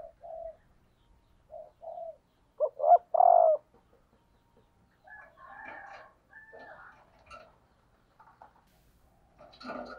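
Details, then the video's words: Female spotted dove used as a decoy bird, calling to stimulate males: short, low, hollow cooing notes spaced apart, then a louder double coo, followed by scattered higher, rougher chirping notes. "cu mái gáy kích trống hiệu quả"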